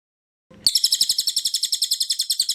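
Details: Bright, rapid cililin trill starting suddenly after a moment of silence, each sharp high note evenly spaced in a tight rattling run, from a recording meant for training other birds.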